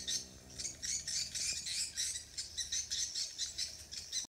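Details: Swiftlets on Koh Samui, Thailand, give rapid, high, buzzy chittering twitters in quick repeated bursts, several birds overlapping without pause.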